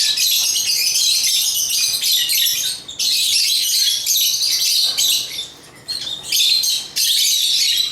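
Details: Almost continuous shrill chirping and chattering from African lovebirds (Agapornis), high and scratchy, with only a short dip in the flow partway through.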